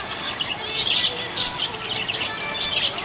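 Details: Happy budgerigar giving loud bright chirps in quick bursts, with warbled chatter running between them.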